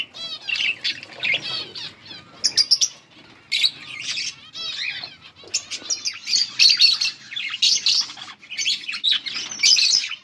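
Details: Several colourful budgies chirping: continuous, lively chatter of warbled and squeaky chirps with short sharp clicks, many birds calling at once.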